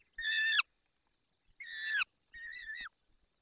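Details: Peregrine falcon calling during feeding at 10:22 on 20 May 2021, Barycz Valley, Poland. Three separate whining cries, each about half a second long and sliding downward at the end, spaced roughly a second apart against a quiet background.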